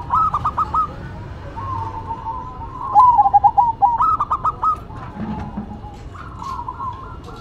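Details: Local and cemani zebra doves in a duet, trading bursts of rapid, bubbling trilled coos, one phrase loud and clear in the middle, others softer, with a faint background hum.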